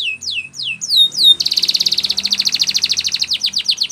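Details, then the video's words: Domestic canary training song: a few slurred falling whistles, then a loud, rapid, buzzy roll of clicking notes ending in quick downslurred chirps. "Canary singing Bird Sounds At Its Best | Melodies Canary Bird Song"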